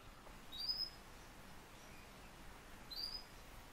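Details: A captive pet Eurasian bullfinch (Pyrrhula pyrrhula) gives two soft, short piping whistle calls about two and a half seconds apart over a faint low background rumble.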